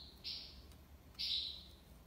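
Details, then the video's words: European goldfinch in the Algerian tiwawati song style, recorded in Algiers: two long, bright buzzy notes about a second apart, each fading out slowly. "مقنين تيواوطي ليبساد الله يبارك / chardonneret tiwawati"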